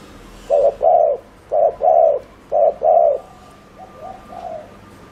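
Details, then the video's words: Spotted dove kept as a decoy, cooing in the rapid 'gù' style meant to stir wild doves: three loud double coos, each a short note then a longer one, followed by a quieter fading pair. "Chim cu gáy GÙ ( bo ) TỐC ĐỘ kích bổi,cu gáy mồi cây"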